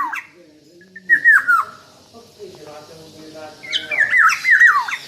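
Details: Black-naped oriole, calling very actively: squawky, hooked downslurred notes, one pair early, then three or four in quick succession near the end, over faint background noise.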